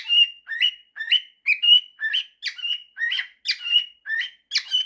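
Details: A male cockatiel whistles a string of tuneful rising and level notes, singing a mashup of 'September' and 'If you're happy and you know it'.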